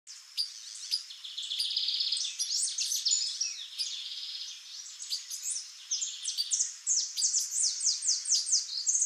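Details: Female white-bellied seedeater, known in Brazil as chorão or patativa-chorona, giving a fast, busy run of high chirps and downslurred notes, with buzzy trilled stretches and short sweeping slurs repeated toward the end.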